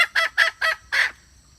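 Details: Wild red junglefowl hen call used to lure males: four quick, harsh clucks in under a second, then a slightly longer, stronger final note, followed by quiet.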